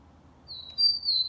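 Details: Rufous-collared sparrow recorded 4 October 2020 singing a variant with an "affirmative" melody, like the Mantiqueira song: clear high whistles, a slightly lower held note sliding into a brighter sustained one, over faint hiss.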